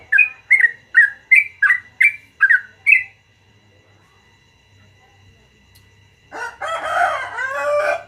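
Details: Yellow-vented bulbul singing in the morning, a long rapid 'gacor ropel panjang' song: eight short bubbly, slurred notes repeated about every 0.4 seconds for three seconds, a brief quiet pause, then a dense, rich warbling burst of chattering phrases.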